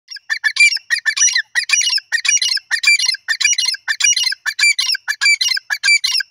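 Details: Grey francolin, known locally as teetar, calling. A loud, harsh, squawking phrase repeats in rapid, rhythmic bursts of about two notes per second, with no other sounds.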